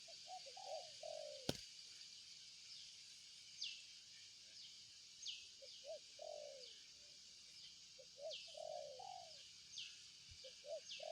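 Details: Spotted dove repeating mellow two- and three-part coos with the last note stretched, while another bird gives thin, sharply descending whistles and insects hum steadily in the background.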